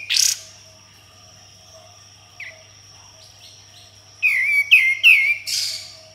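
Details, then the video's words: Sooty-headed bulbul in tembakan style with harsh besetan: an opening rasp, a long quiet gap with two soft slurred notes, then a quick series of loud, ringing downslurred chirps ending in a buzzy note. "Kapas Tembak Gacor Full Tembakan dan Besetan Kasar"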